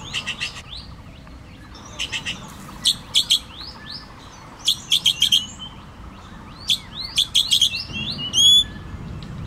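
Common green magpie calls: bursts of sharp, high chirps and short whistled notes in quick clusters of three to five, with a faint low rumble behind.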